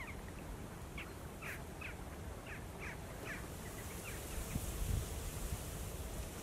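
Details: Greater white-fronted goose family of two adults and four young feeding and resting on autumn migration, Mogilev district, Belarus, 16 October 2018, Canon EOS 80D; short high yelping calls repeat about every half second over a steady low rumble.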